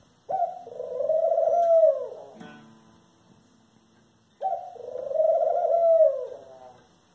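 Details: Two long, moaning nasal calls from a Eurasian collared dove, about four seconds apart. Each swells over nearly two seconds before dropping off. A brief clatter is heard between them.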